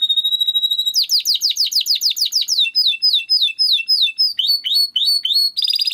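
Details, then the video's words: Timbrado canary singing a training song: a long steady whistled note, then quick downslurred notes repeated several times a second, changing into new rolling tours, with a sharp buzzy burst at the end. "Υour canary will sing UNSTOPPABLY"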